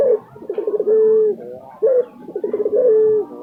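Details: Lutino Barbary dove, a pet bird popular in Indonesia, calling steadily: a low throaty coo with rolling pulses ending in a held steady note, given twice in a few seconds indoors.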